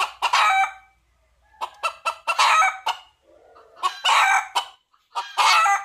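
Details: Wild junglefowl crowing to seek a female: harsh, broadband crows, each opened by short clipped notes, sounding in bursts about every one and a half seconds with brief quiet gaps between.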